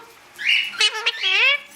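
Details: Pet Indian ringneck parakeet, one of several coloured birds, mimicking human speech: a short phrase of about a second in a nasal, harmonic-rich voice with a rising then falling final syllable, in a quiet room.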